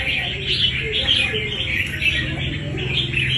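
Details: Wild-caught fighting red-whiskered bulbul chattering in quick, bright, repeated warbled notes, bursts pulsing every half second or so, with low background hum and possible faint voices.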